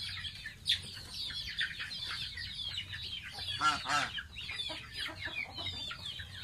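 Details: Baby pet domestic goose taking a bath: dense, high, thin peeps, many sliding downward, pour out rapidly and overlap, with a louder cluster of sharp chirps near the middle and a faint low rumble underneath.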